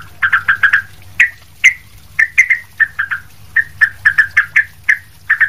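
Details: Sooty-headed bulbul, lively song used to train other bulbuls: short bubbly, slightly downslurred notes delivered in little clusters of two to four, with brief gaps, steady and clear.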